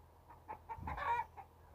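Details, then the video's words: Rooster walking in a harvested paddy field, giving short soft clucks about every fifth of a second, broken midway by a louder, harsher drawn-out note before the clucks resume. "Beautiful cock's walk and sound in harvested paddy field"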